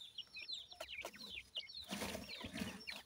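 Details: Francolin chicks peep in clear, high descending notes for the first half, then a wash of broad rustling noise partly covers their calls.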